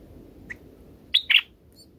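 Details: Young bulbuls in their nest being fed by the mother bird; one faint chirp, then two loud, quick, sharp high chirps close together, over a steady low background hum.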